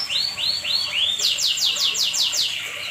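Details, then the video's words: Canary singing at night. Four rising-then-falling whistled notes lead into a rapid trill of bright descending sweeps, about eight per second, against steady background hiss. "Burung kenari gacor 100% malam hari"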